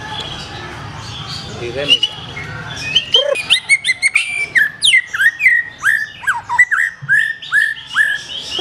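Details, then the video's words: Black-tailed white-rumped shama song: after a quiet start, varied loud whistles arrive in fast succession, with sweeping slurs, sharp high notes and curling phrases jumping between pitches. "SUARA BURUNG : Murai Batu Ekor Hitam, Tonjolan Mantap."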